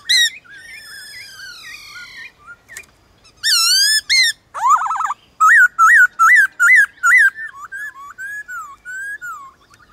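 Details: Black-throated laughingthrush in a morning song contest with wild birds: long descending whistled phrases, a burst of loud rippling notes, then a regular series of bright looped whistles about three per second, tailing off softly.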